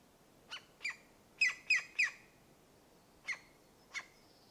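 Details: European green woodpecker at its nest site in a Dorset wood gives short, harsh, squawking notes, some single and three in quick succession, at uneven intervals over a quiet background; European green woodpecker.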